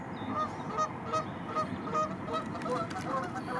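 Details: Dozens of Arctic geese with their chicks among white flowers honk in a loose chorus, short nasal calls repeated about every half second from several birds, over a steady background murmur.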